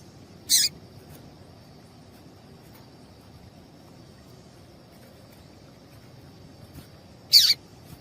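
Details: Call of a female double-collared seedeater, used to excite males into singing. Two brief, piercing high chips about seven seconds apart, with a quiet gap between them and a faint constant high-pitched hum throughout.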